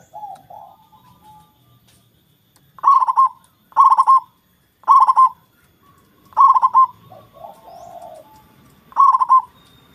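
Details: A big-voiced local zebra dove, kept to provoke rivals into singing back, repeats short rolling coo phrases about every second and a half, five bursts in all, with soft lower coos between and a quiet, still background.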